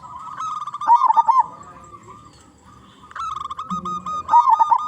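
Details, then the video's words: Loud local zebra dove recorded as a lure for other zebra doves: a sustained trilled note breaking into rolling coos, a quiet gap with faint background noise, then the trill and bubbling coos return. "Perkutut Lokal Gacor Suara Besar"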